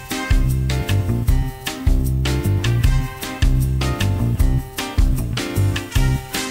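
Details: Loud rhythmic music with a strong bass beat fills the recording, with no animal voice.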